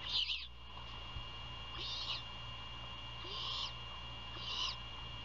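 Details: At a nest near Savannah, Georgia, at 1:38 AM on 27 February 2022, during a prey handover and feeding, a great horned owl gives four harsh, raspy screeches about every 1.5 seconds over a steady electronic hum and low rumble.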